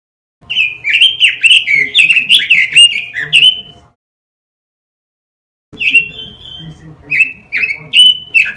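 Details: Robin song used to train caged birds: a hurried chattering run of tumbling whistles, silence, then slower, spaced, sweeping fluty notes.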